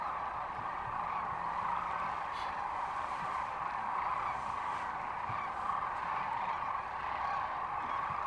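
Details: Sandhill cranes at Rowe Sanctuary in Gibbon, Nebraska, recorded March 13, 2014: a dense, unbroken chorus of many rolling, trumpeting calls forms a steady roar, with a few faint murmurs underneath.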